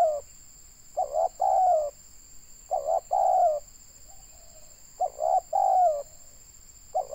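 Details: Spotted dove, a local tekukur from Indonesia, heard at a trapping session. Low mellow coo phrases repeat about every two seconds, each a short double note then a longer falling coo, with a constant high whine.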